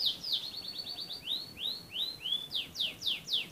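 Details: Canary song recorded in Central Java, Indonesia: a fast run of short falling notes gives way to slower, louder swooping whistles, each arching down, spaced roughly three per second.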